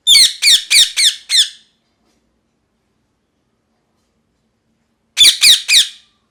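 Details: Parrot screeching in bursts: five rapid, harsh, rasping calls, a silence of several seconds, then three more in the same quick rhythm.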